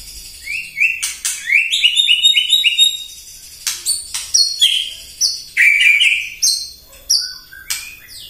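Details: White-rumped shama morning song meant to provoke other birds. Stepped runs of rising whistles, loud clicks, then repeated high pure whistled notes and a bright warble, delivered non-stop.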